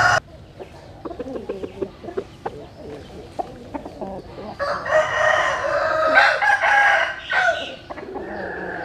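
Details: Chickens in the morning sun at dawn; soft clucks and pecking ticks come first, then one loud, drawn-out crow of about two and a half seconds, ending in a fainter fading note.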